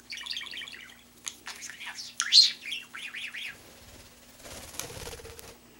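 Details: Pet budgie with a large mimicked vocabulary, warbling indoors; rippling trills and a loud squeak, then wavy whistled notes, followed by a soft fluttering rustle.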